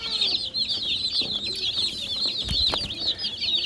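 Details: Chicken chicks give loud, rapid, high peeps in a thick overlapping chorus, with a couple of dull thumps partway through.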